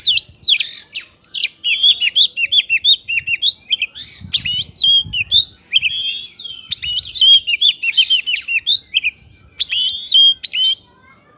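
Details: Oriental magpie-robin singing a lure song filled with prinia-style phrases, meant to rouse other birds into quick, persistent replies: a long, unbroken stream of sharp, varied whistles, chips and slurred notes delivered rapidly throughout.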